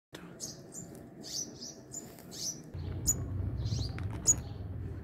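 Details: Sunbirds feeding and protecting their young at a hanging nest give high, thin chirps and short sharp ticks, irregular and scattered, over a low background rumble.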